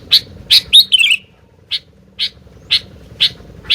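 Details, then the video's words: Brief burst from a sooty-headed bulbul: quick chips, a bubbling falling warble, then single chips spaced about half a second apart. "TAK Bisa DIAM,,,,Burung Gentilang Gacor DOOOR...!!!"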